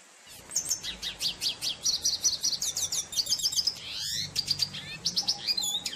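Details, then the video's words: Red siskin, the finch called cardenalito in Venezuela, singing a long, fast, high twittering song of repeated sharp notes and rising trills, with a brief pause and a sweeping phrase, over a steady low hum. "Pintassilgo da Venezuela Tarim Cantando Pássaro || cardenalito 🎶🎵|| RedSiskin"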